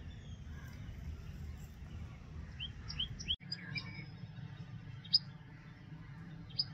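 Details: Common tailorbird (Orthotomus sutorius) giving a quick run of three loud, sharp upslurred chirps, then two isolated high piercing notes after a pause, over a constant low rumbling background noise.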